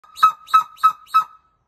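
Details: Steller's sea eagle (Haliaeetus pelagicus) giving four harsh, barking notes about a third of a second apart, over a faint steady whistling tone.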